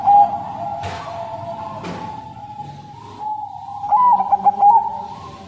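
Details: Zebra dove of Bangkok crossing stock, caged, delivers a stuttered run of soft trilled coos near the end, with two sharp clicks early on and a steady low hum throughout.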